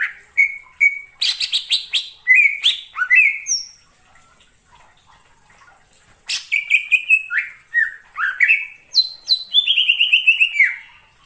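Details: Greater green leafbird calling in the wild forest: bursts of short whistled notes around mid-high pitch, some sliding down, mixed with harsh buzzy chips, a pause of about two seconds, then a longer run of descending slurred whistles.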